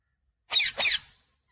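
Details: Indoor talking parrot that says 'mummy papa' utters a quick two-part rasping syllable pair, the second burst slightly longer, with a quiet room behind.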